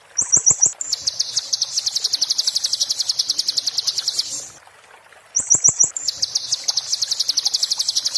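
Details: Muntah beling style song of an Oriental white-eye, used as tutor material for kacer and murai: long, very fast high-pitched pulsed trills, each opened by a quick stuttered burst and dry clicking ticks, then a silent gap before the next phrase.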